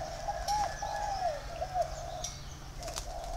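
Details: Tame, home-bred spotted dove in captivity in Vietnam, giving soft, low coos: three short arched notes close together in the first two seconds, then quiet, over a steady low hum.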